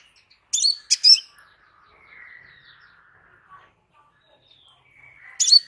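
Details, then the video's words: Crimson sunbird: a quick cluster of sharp, high chipping notes near the start and another burst at the very end, with faint, thin, lower whistles trailing through the quiet middle. "Burung KOLIBRI SEPAH RAJA anda asektika langsung NYAUT"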